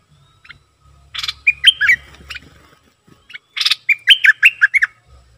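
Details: Bulbul used as a decoy bird sings two phrases. Each opens with a harsh rasping burst and then runs into a rapid sequence of loud, slurred, warbling whistles. A low rumble sits in the background.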